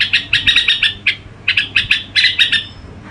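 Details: Red-whiskered bulbul performing gù-style song: clusters of quick, sharp chirped notes arrive in two groups separated by a short lull.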